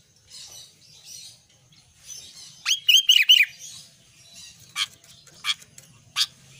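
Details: Albino sooty-headed bulbul in full song, giving a short phrase of three liquid, falling whistles between soft scratchy chatter and several spaced sharp chips, with a faint low hum behind.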